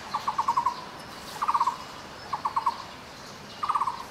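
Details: Taiwan barbet (Megalaima nuchalis) in Taiwan woodland gives short, rapid bursts of five or six hollow, knocking notes, repeated roughly once a second over a faint hiss; finding: Taiwan barbet.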